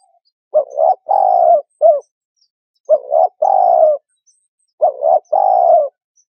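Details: Spotted dove call used as a bird-trapping lure: three low, soft cooing phrases, each a short double coo followed by a longer drawn-out coo, repeated about every two seconds in silence.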